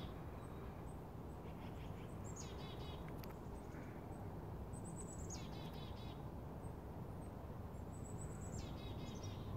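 A chickadee gives its chick-a-dee call three times: high thin opening notes, then a run of buzzy, rasping dee notes, over a steady low rumble.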